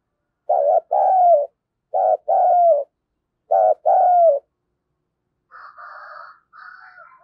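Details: Decoy spotted dove calling to stir up wild birds: three phrases about a second and a half apart, each a quick wobbly note then a longer sliding coo. A fainter, higher buzzy sound follows near the end.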